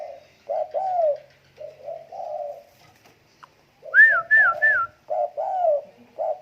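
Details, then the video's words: Tame spotted dove cooing in soft, low hollow phrases, short notes run into longer downward-curving coos, with a burst of three higher whistled, arched notes in the middle; quiet surroundings between phrases. "burung derkuku jinak"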